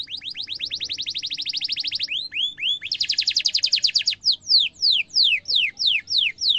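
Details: Young-canary training song from a canary: a long rapid series of rising notes, a few slower sweeps, another dense trill, then evenly spaced falling whistles about three per second.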